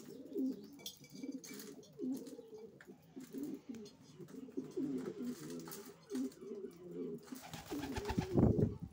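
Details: Several racing pigeons coo continuously in an enclosed space, overlapping low warbling coos with brief scraping and a louder thump at the end.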